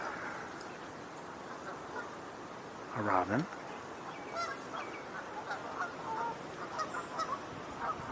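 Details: Geese flying in or just landed, giving one loud harmonic honk about three seconds in, then scattered fainter honks and calls with small bird chirps in the background.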